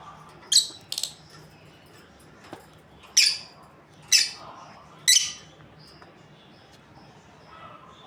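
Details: Breeding pair of lovebirds giving shrill, harsh chirps, five sharp bursts spaced irregularly about a second or more apart, with a low steady hum underneath.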